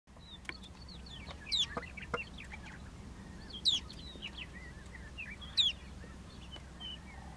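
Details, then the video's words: Snow bunting perched on a pole between Kutawagan Lake and Dafoe, Saskatchewan, 9:30 a.m. on 10 Oct 2015, about 15 °C with little wind, gives sharp, bright chirps about every two seconds between softer twittering notes over a low wind rumble. "Snow Bunting chirping on a pole"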